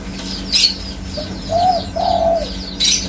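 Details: Spotted dove phrase of a brief soft lead-in note followed by two smooth, hollow coos, the second longer; sharp clicks before and after, with thin descending chirps of small birds in the background.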